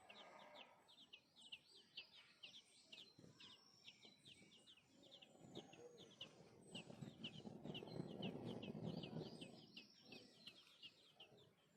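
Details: Baby sparrow begging to be fed, a steady stream of short high chirps repeating roughly three times a second, with loud low-pitched noise building in the background.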